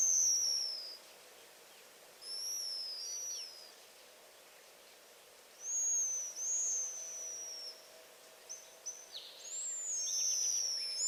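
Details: Pigeon guillemot scream call: a long, drawn-out, very high whistle that slurs downward, given in bursts with several overlapping, against faint background hiss.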